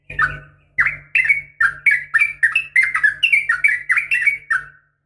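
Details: Sooty-headed bulbul female calling a male in a rapid fighting style: a quick series of bright, slurred chirps, roughly three per second, with a low electrical hum underneath.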